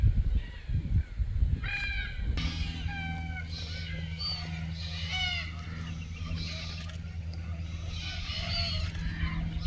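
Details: Red-tailed black cockatoos courting and mating in the wild at Keep River National Park in June 2023. A run of rasping, creaky calls repeats over a steady low mechanical hum.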